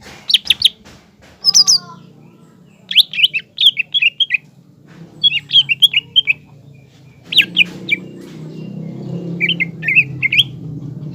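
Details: Green leafbird singing to rile up a young spotted leafbird: short groups of sharp whistled and chattering notes separated by pauses, with a steady low hum growing louder toward the end.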